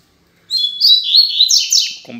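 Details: Captive Double-collared Seedeaters loose in a room, taking the sun after a change in management, singing strongly with one answering another; one sings a quick, bright, twittering phrase of high, varied notes under two seconds, then a brief low voice.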